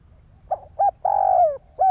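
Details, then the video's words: Short burst from a spotted dove cooing to stimulate other doves, Vietnam: two quick coos, then a long wavering coo sinking in pitch, and the start of another short note. "Tiếng chim cu gáy kích bổi"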